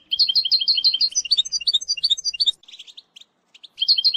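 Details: European goldfinch singing to train a young bird: a long run of fast, liquid, repeated twittered notes, briefly breaking into softer scratchy chatter before the bright phrases resume.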